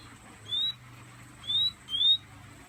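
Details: Fire red, a pet Guyanese bird sitting in the hand, whistles three thin slurred notes, each slightly rising, spaced about a second apart, with faint low room hum beneath.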